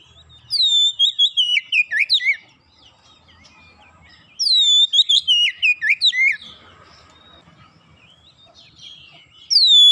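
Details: Fast, full song of an oriental magpie-robin: two bursts of rich, descending whistled phrases with sharp notes, separated by a short pause of near silence.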